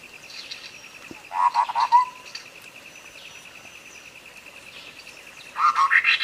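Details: Clear sooty-headed bulbul song played as tutor recording to coax a bird that has stopped singing: a bubbly phrase of about five liquid notes ending in a slurred note, a long gap, then a rising burst of chirpy notes, with a constant high hum behind.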